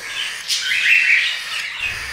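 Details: Hand-raised cockatiel chick about a month old, fed by its keeper with a hand-feeding tool because its mother does not care for it, begging for food: a harsh, hissing rasp rising and then falling, with faint room noise.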